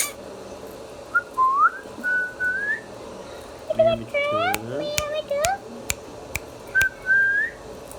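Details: Talking pet Indian ringneck parakeet mixes slurred rising whistles with a burst of harmonic, voice-like chatter in the middle. Short, bright whistles follow, and clicks punctuate the quiet indoor background.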